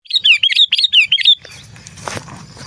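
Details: Sooty-headed bulbul, a calling bird used to lure other bulbuls: six rapid bright chirpy notes, each a quick bubbly slur, in just over a second, then rustling and handling noise.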